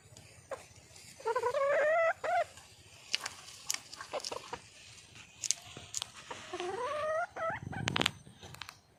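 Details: Wild hen red junglefowl calling to attract a male: loud nasal harmonic calls rising and bending in pitch, two bursts of several notes a few seconds apart, with clicks and a brief low thump between them.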